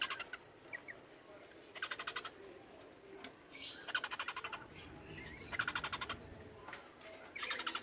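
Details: A pair of cockatiels filmed while mating; a cockatiel gives short bursts of harsh, rapidly pulsed chattering calls every second or two.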